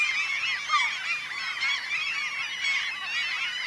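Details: A dense breeding colony of Black-legged Kittiwakes on Ona island, Møre og Romsdal, coastal Norway, in mid-May: many nasal, wavering, overlapping calls at once, a steady clamour with no pauses and no other sounds standing out.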